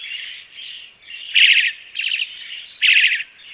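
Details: Crested myna song: soft nasal warbled notes broken by three loud buzzy, rattling bursts of about a third of a second each, repeated roughly every one and a half seconds.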